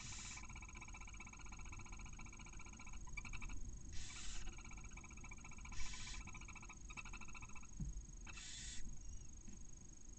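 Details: Barn owls at a nest in Cabañeros National Park as the male brings a mouse and tries to mate soon after a chick hatches; long buzzy harmonic chittering broken by loud breathy hisses roughly every two seconds.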